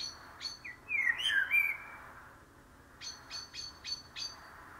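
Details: Short fluty phrase of a common blackbird, rising and falling, followed by a steady series of five high clipped notes from another bird.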